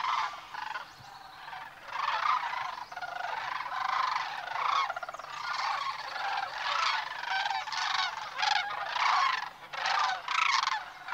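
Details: Sandhill cranes during migration through Nebraska's Platte River Valley, on the morning of March 18, about five miles north of Sutherland on North River Road; a dense chorus of many rolling, rattling calls overlaps continuously, swelling and fading in loudness throughout.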